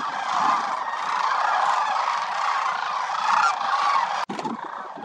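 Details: Sandhill cranes wintering in their thousands at Willcox Playa Wildlife Area bugle together in a loud, overlapping chorus, interrupted by a momentary break near the end.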